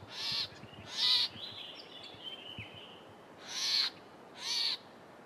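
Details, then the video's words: Southern tchagra giving four harsh, rasping bursts, each about half a second, in two pairs, with a faint thin whistle drifting down between them; the recording holds both its warning call and its typical song. "Southern Tchagra vocalisations"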